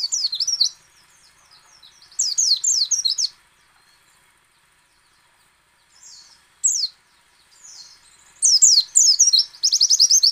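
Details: White-eye song of the ngecal, ngalas and nembak styles, meant to prompt other white-eyes to sing: separate bursts of fast, very high, sliding chirps broken by short pauses, ending in a dense run of twittering.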